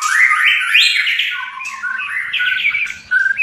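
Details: Captive white-rumped shama from Indonesia, of an albino or blorok colour mutation, singing loud, rich whistled phrases that slide and step between mid and high pitches, with rapid flourishes and a brief pause near the end.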